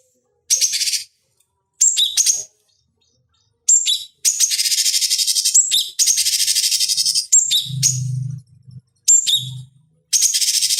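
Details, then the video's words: Cucak cungkok (bulbul) master song for training fighting birds: repeated bursts of high buzzy chatter and quick whistled notes, long rapid trills in the middle, and faint low thumps. "Masteran Pancingan Cucak Cungkok Ampuh Untuk Terapi Dan Masteran Burung Petarung"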